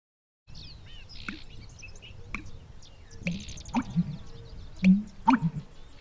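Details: Male American Bittern's deep, gulping, hollow pumper-lunk notes, like water glugging down a drain, in quick succession: air gulped into the inflated esophagus gives a low call carrying through dense marsh; breeds in Newfoundland; thin chirps of other birds above.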